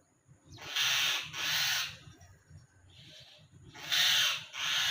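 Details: Young common myna out of its nest begs with loud, drawn-out hissing rasps in pairs, a soft rasp between, then another loud pair after a pause.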